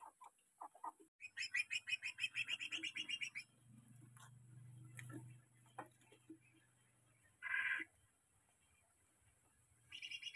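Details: A greater green leafbird gives its full lure song, a fast, chattering run of bright, high notes for about two seconds, then scattered sharp phrases over a faint low hum.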